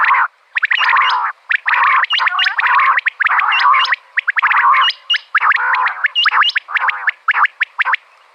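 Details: Calls of a female common quail, recorded for hunters luring quail. Near-continuous buzzy, harmonic phrases are threaded with many sharp upturned chirps, with only brief silences between bursts, for eight seconds.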